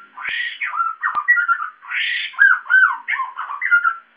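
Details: Caged white-crested laughingthrush, described as a loud, raucous singer with many voices, producing bursts of harsh squawks mixed with slurred whistled phrases, a short pause between two loud outbursts.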